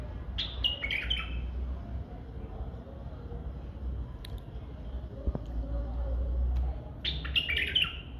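White-eared bulbul giving two short bubbling bursts of liquid, warbled notes several seconds apart, over a steady low rumble of background noise.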